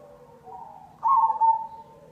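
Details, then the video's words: Zebra dove (perkutut) lure call: a short burst of soft, rolling cooing notes, louder in the middle, over a faint low hum. "Pancingan perkutut cemani"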